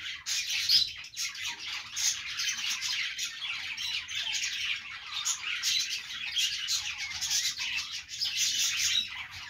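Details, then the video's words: Many budgerigars chirp and squawk together in a long, unbroken chorus of sharp, high notes with brief louder bursts. "budgies sounds"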